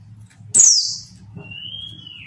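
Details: A female Mountain White-eye gives a call meant to lure reluctant males into answering. One bright downward-swept chirp is followed by a drawn-out, level, high whistle that fades at the end. A faint low hum continues underneath.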